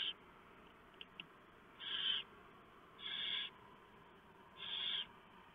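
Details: Barn owls at a nest during a night prey delivery on 3 November 2015, with the female shredding a huge mouse for the owlets. Two faint clicks are followed by three long, coarse hisses about 1.3 seconds apart.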